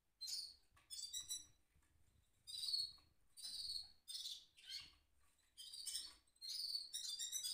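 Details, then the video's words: Goldfinch mule singing in its cage, delivering a broken string of high, scratchy twittered notes in short bursts about every half second, with faint low room noise beneath. "mule goldfinch rolling on cage"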